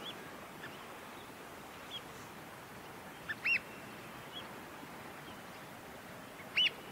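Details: Pied oystercatcher at its nest with a chick in Port Hacking, New South Wales, on day five of nesting; two loud, sharp, downslurred piping calls stand out several seconds apart, with a few fainter notes over steady background hiss.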